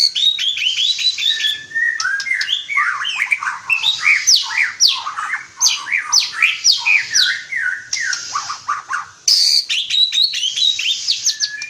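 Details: White-rumped shama (Murai Batu) singing actively (gacor): a dense, fast stream of varied whistles, sharp upslurred and downslurred notes and chattery bursts, mostly high-pitched, delivered continuously with brief pauses near eight and nine seconds.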